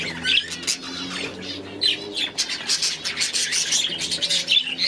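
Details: Budgerigars in an aviary keep up a dense, busy chatter of short chirps and scratchy warbles, many birds calling at once in quick bursts. A faint low hum runs underneath.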